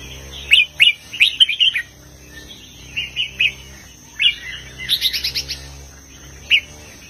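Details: Red-whiskered bulbul performing southern Thai master-song style, heavy phrases to rouse other birds: bubbly chattering note clusters, a pause, then further bright warbled bursts, against a constant high-pitched electronic tone.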